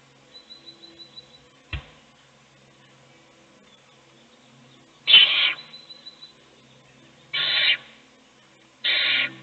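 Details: Owl chick being fed by its mother while the other chicks sleep; soft ticking at first, then three harsh, hissing screeches about half a second each, separated by pauses of one to two seconds.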